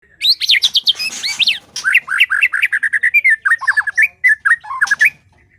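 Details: White-rumped shama in breeding season, kept at a breeding facility: a rapid, varied song of clear whistled notes and sweeping slurs, high at first then a long run of quick repeated chirps around mid pitch, with brief sharper squawks.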